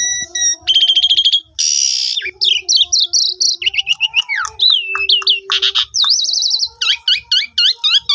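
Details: Asian pied starling song used as a lure to get a silent starling singing, recorded on a phone: pure high whistles, rapid stacked chatter, a harsh buzzy burst, then looping slurred whistles and quick repeated chirps.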